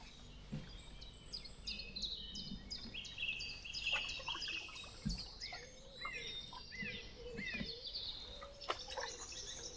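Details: Pre-dawn birdsong at a wild riverside camp on the River Waveney, England, during a canoe trip, with song thrush named as singing: rapid high whistled and chirping phrases repeated densely, with a low rumbling background.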